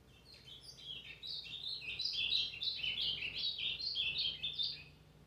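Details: Brown azulão singing continuously, a dense rapid stream of warbled, sliding whistles and chirps repeated almost three times a second, loud and steady throughout with a faint low hum underneath.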